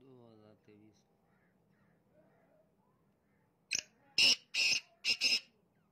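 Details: A Black francolin gives one harsh, grating phrase of about five loud, scratchy notes in under two seconds, after a brief low human voice at the start.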